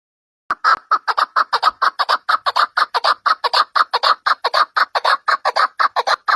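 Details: Partridge calling with a loud, harsh, rhythmic chuckle: rapid raspy notes repeated about four times a second in a steady run after a brief silence, with no other sounds.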